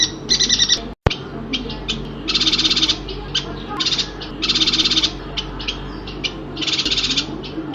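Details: Kalimantan yuhina song with harsh, buzzing, rapidly pulsed phrases, some short and some longer, given in an irregular series with brief gaps and a low background hum; one sharp click near the start.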